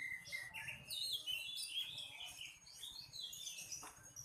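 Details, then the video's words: Oriental magpie-robin (kacer) song, quieter and busy: rapid overlapping chirps, sliding whistles and high twittering notes running without pause over a steady low rumbling background. "Nyeting burung kacer"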